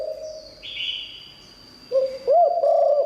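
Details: Spotted dove, liu tan style song for luring wild birds: a soft low hum and a raspy buzz, then a rising burst of looping coos settling into a sustained tone, with a faint steady whine throughout.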